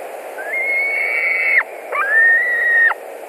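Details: White-tailed eagles at a nest in Latvia, 11 July 2020, 21:09, one bird in the nest as another returns for dinner: two drawn-out, level whistles that rise at the start and drop sharply at the end, each over a second long.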